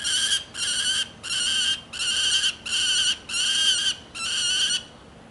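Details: A peregrine falcon perched in a tree gives six harsh, raspy screeches, each under a second long, at a steady quick pace, perhaps reacting to the photographer's presence.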